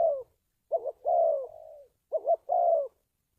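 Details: Spotted dove call played to train decoy birds and attract wild ones for trapping; an ending coo, then two phrases of a wavering double note plus a long, smoothly falling coo, the first with a trailing softer tail.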